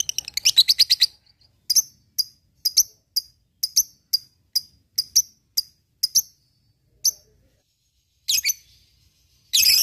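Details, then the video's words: Lovebird ngekek used to provoke rivals: fast high chirping trill, then spaced sharp double chirps roughly every half second, ending in harsh screechy bursts. "SUARA LOVEBIRD NGEKEK MEMANCING LAWAN BUNYI BURUNG BAHAN FIGHTER CEPAT RESPON"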